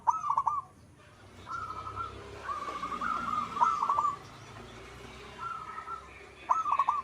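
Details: Local zebra dove cooing in quick, bubbling clusters against a fairly noisy background, the phrases softer and less distinct than usual.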